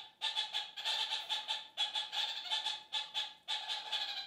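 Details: Kakariki communicating in a flock with fast, throaty cackling, pulsed notes bunched in short rhythmic runs and repeated steadily; a chorus these birds raise several times a day.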